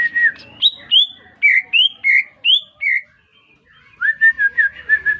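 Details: Greater green leafbird just bought and caged, singing when whistled at: varied loud slurred whistles rising and falling at different pitches, a brief gap, then a fast run of short bright notes.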